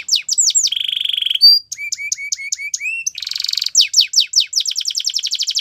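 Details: Singing Russian canary used for training: quick falling whistles, a flat buzzy roll, a run of short rising chirps, a dense metallic trill, and a fast closing series of descending notes.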